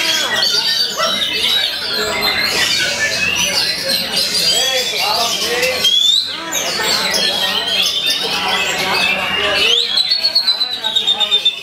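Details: Oriental magpie-robin countering opponents with shama-style shots and long rolls: rapid, jumbled high chatter and sweeping whistles, pausing briefly near six seconds, ending in a clear rising whistle and clipped repeated notes.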